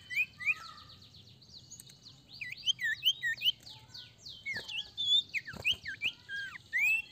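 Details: Sirtu, an ashy tailorbird, singing to prompt other birds: busy, overlapping high chirps and twisting whistles, growing louder midway, with a couple of sharp knocks and a steady background hiss.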